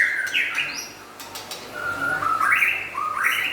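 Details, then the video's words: Whistled song of a white-rumped shama, described as local and forest birds: a clear held note, then rising stepped phrases, with a few clicking sounds early on. "Meriah nya Suara Murai Batu LOKAL Dan Hutan"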